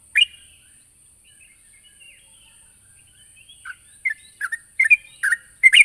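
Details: Sooty-headed bulbul calling a rival: one sharp chirp, then near-silence before a quickening cluster of short chirpy notes; a steady high-pitched whine runs throughout.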